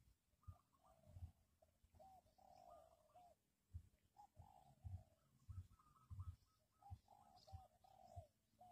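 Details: Spotted dove calling, used to lure wild doves for trapping: soft, distant two-part coos repeated in quick series over low rumbling background noise and occasional thumps.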